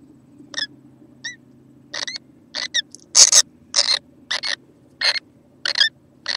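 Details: A young kookaburra, recorded on 6 November 2014, gives about a dozen harsh, rasping bursts, roughly two a second, some cracking into squawks, over a steady low hum.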